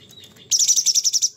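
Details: ['Sooty-headed bulbul singing actively, harsh-note style known locally as materi kasar: after a faint high whine, a loud burst of about nine rapid, evenly spaced shrill, scratchy notes lasting under a second.']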